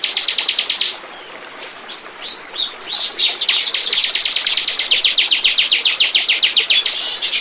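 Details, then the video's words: Lure song of a bar-winged prinia, used to attract birds. A quick high trill breaks off briefly, a tangle of varied chirps follows, then a long, rapid, evenly spaced series of piercing notes runs to the end. "Burung. burung ciblek pancingan"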